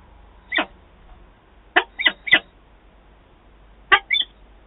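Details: At Wałbrzych, an adult pair of peregrine falcons meets on 11 September 2022, trading rough, grating calls: a lone note, then a quick run of three, and a final pair near the end.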